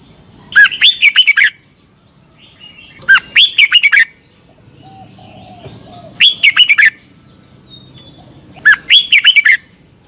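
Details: Thailand red-whiskered bulbul, morning training session: four repeated phrases of rapid, bright whistled notes, about one every two and a half seconds, with faint low murmur between.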